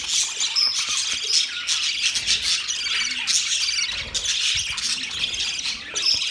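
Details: Flock of birds on October 3, 2023 keeping up busy, high-pitched twittering and squeaky chirps, many voices layered into a steady chatter with occasional louder sharp notes.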